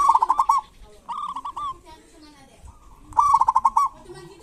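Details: Local zebra dove singing kerot and bekur phrases to stimulate reluctant doves: three rolling, trilled coo phrases about a second apart, separated by quieter low coos.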